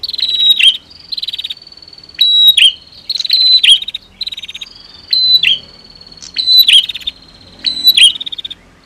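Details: Female versus male prinia, played to provoke singing in birds that have stopped: about six bursts of high, insect-like pulsed trills, each ending in a sharp chirp, separated by brief softer buzzing.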